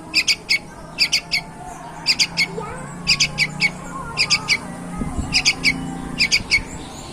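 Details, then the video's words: Sooty-headed bulbul, a promising young bird singing steadily: triplets of sharp bright notes repeated about once a second, with a low hum and a brief dull knock midway. "bibit unggul burung trucuk gacor banget!"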